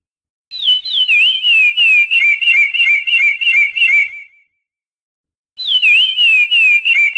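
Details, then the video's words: Chestnut-bellied seed finch (curió) singing a clear whistled phrase of rapid, warbling notes that start high and slide gently downward, lasting about four seconds, then a pause before the phrase begins again; no other sounds. "Canto do Curió"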